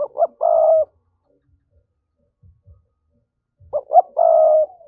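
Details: Spotted dove coo in the 'thúc' voice, used to provoke wild doves into a trap: the phrase of two short notes and a long steady coo is heard twice, about three and a half seconds apart.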